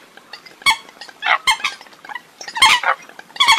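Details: Eurasian coots in a recording from abroad, giving scattered clipped, nasal calls. Louder bursts come near the start and end, over a busy background of softer overlapping notes.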